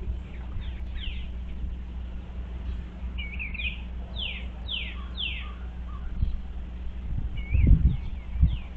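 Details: Eastern bluebirds inspecting a birdhouse, 25 February 2023: gentle descending whistled notes and curling warbles spaced irregularly, with steady low hum and a few dull knocks near the end.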